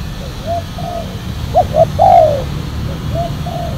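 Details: Spotted dove cooing during a session luring wild doves with a silver-coloured decoy dove wearing a black collar: soft mid-pitched coos, then a quick pair of short notes and one longer, louder slurred coo, followed by quieter coos over low rural rumble.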